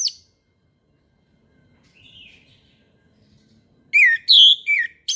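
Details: Orange-headed thrush singing in the morning; mostly quiet with a faint soft warble, then a short loud phrase of bright whistled slurred notes near the end.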